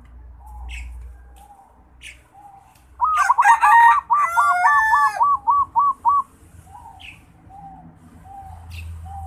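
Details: Local Bali zebra dove learning to sing: after quiet low murmurs, a loud run of stepped, rolling coos near the middle, about a dozen quick bouncing notes over three seconds, then soft cooing again.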